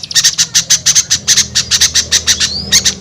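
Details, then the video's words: Small bird lure call used to draw hard-to-reach small birds down: rapid, high, sharp chirps repeated about twice per second in an uneven run, with a faint low hum underneath. "SUARA PIKAT AMPUH UNTUK BURUNG KECIL SUSAH TURUN"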